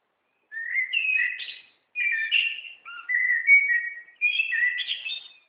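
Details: A small wild bird from Gütersloh that sings all day long for the neighbourhood. It gives four short clear whistled phrases, each a warble of upslurs and quick twitters, separated by brief pauses. No other sounds are heard.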